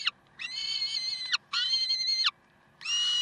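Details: At Karlsruhe on 30 May 2010, 7:27, peregrine falcons give loud, steady, rasping wails of almost a second each. The wails are separated by brief silences and each ends with a sharp drop in pitch.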